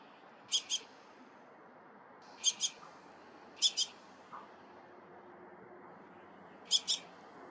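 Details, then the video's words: Dusky thrush, alongside Naumann's thrush named with it: four pairs of short, sharp, high double notes, each pair quickly doubled, spaced irregularly over several seconds above a steady low background hiss. "개똥지빠귀와 노랑지빠귀 소리 dusky thrush"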